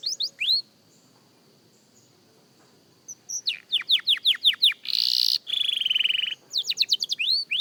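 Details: A young canary in singing practice: a few sweeping whistles, a pause with a faint held tone, then a burst of rapid descending whistled notes, a dense buzzy trill, and more quick sweeping notes.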